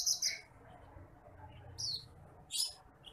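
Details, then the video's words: Bush lark training song: three brief bursts of high, thin chirping and sharp descending notes, with quiet pauses between and a low background hum. "MASTERAN BURUNG BRANJANGAN APUNG (TITIMPLIK)"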